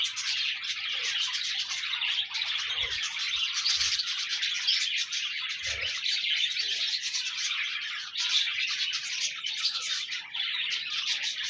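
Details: Chorus of pet budgerigars meant to prompt a lonely budgie to sing: a long, even wall of high twittering and warbled chirps from several birds, with occasional soft low taps.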